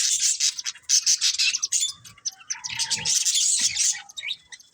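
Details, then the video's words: Pet budgerigars in a breeding pair give loud, continuous scratchy warbling and chirps, with a short whistled note midway. "Cute Budgies Chirping Sounds"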